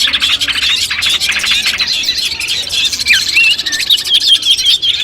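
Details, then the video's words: Long-tailed shrike training song before competition: scratchy chatter at first, then clear, wavering whistled phrases that rise and fall in quick succession. "masteran kumpulan suara cendet tes mental sebelum lomba"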